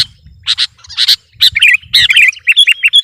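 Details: Sooty-headed bulbul (kutilang) in full, steady song meant to overpower a rival: short paired chirps, then a run of bright whistled and warbled notes rising and falling, quickly repeated with a faint low rumble beneath.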